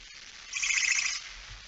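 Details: One barn owl screech at 23:55 on 17 September 2019, when the male comes in with a mouse at night: a single rough, breathy hiss lasting about half a second over a faint background.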